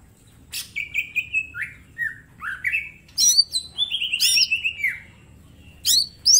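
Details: Small caged green leafbird singing as a training master: sliding whistled phrases, a long buzzy descending trill, and sharp high strokes, over a low faint background hum.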